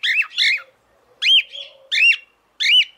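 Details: A female cockatiel calls out to the male while in mating condition, giving harsh, rising-and-falling squawked whistles, first as a quick pair, then singly about every half second to second, with silent gaps between.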